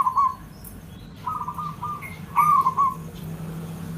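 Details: Local Javanese zebra dove song used as a lure for training other birds: soft cooing notes near one pitch, a short coo, then a longer rolling phrase and a final trailing coo, over low background hum.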